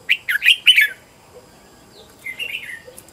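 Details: Red-whiskered bulbul decoy song, trained at home to call in wild birds: four quick, loud chirped notes in a fast cluster, a pause, then a softer rolling warble.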